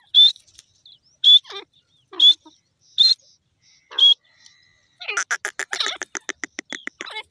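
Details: Teetar francolin giving five loud, piercing whistled notes about one second apart, followed by a fast rattling series of clicking, buzzy pulses.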